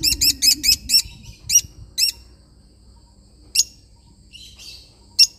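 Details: Lovebird parrot opening with a rapid string of harsh high chirps, then slower single chirps, a soft twittering passage and a final sharp note; some low noise early on.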